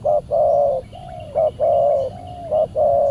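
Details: Repeated cooing of a spotted dove at a Saturday trapping session with a decoy, answered by a very aggressive wild bird; about eight even hooting notes alternating short and long, with a faint high chirp and low hum.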